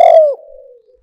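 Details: Spotted dove decoy call: a single loud coo that slides downward and fades into a soft trailing murmur.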